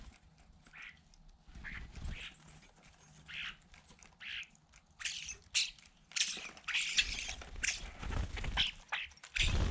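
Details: A crowd of starlings jostling together; harsh, noisy squawks and rasping bursts come in irregular clusters, growing louder and denser toward the end, with low rumbling and handling noise underneath.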